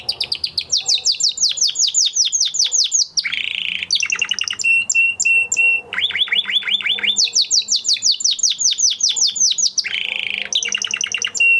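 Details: Male canary singing after its moult, in training: repeated series of rapid falling trills, a harsh buzzy phrase and a level whistled note, the sequence repeating twice.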